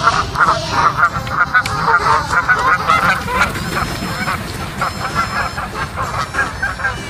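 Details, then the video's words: Canada geese flying southwest give a steady chorus of nasal honks, several birds calling over one another, with notes tumbling out about two or three per second throughout, over a soft low rumble. "The Canada geese flying to the southwest/大鹅西南飞"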